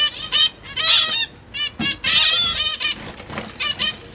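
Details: Captive zebra finch pair with three juvenile and three newborn young, parents feeding chicks, 12 September 2023; loud, nasal, trumpet-like calls in quick bursts, several overlapping, with brief pauses between groups.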